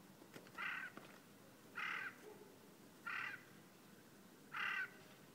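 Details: Eurasian jay giving harsh, rasping screeches, four calls spaced about one to one and a half seconds apart, each a short noisy burst, against a quiet outdoor background.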